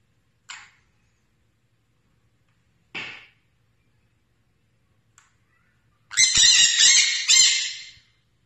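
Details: Pet sun conure indoors giving harsh, broadband squawks: two short screeches near the start, then a loud burst of rapid, rasping squawks toward the end, with quiet gaps between calls.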